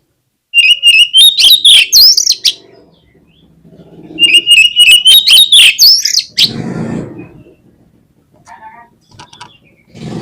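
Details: Oriental magpie-robin lure song to set other birds singing: two loud bursts of rapidly repeated high, rising whistles that climb in pitch, separated by a pause, followed by softer rustling noise.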